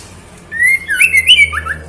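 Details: Female white-rumped shama calling the male, a loud one-second burst of whistles that rise and break into squeaky, tumbling notes, over a low steady hum.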